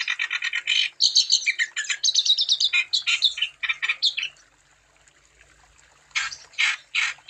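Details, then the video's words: Lively wambi song used as a lure to get other wambi birds singing: fast, busy runs of chirpy, buzzy notes, about two per second, broken by a short pause before further harsh bursts. "Burung Wambi Gacor Untuk Umpan Supaya Wambi Anda Tambah Gacor"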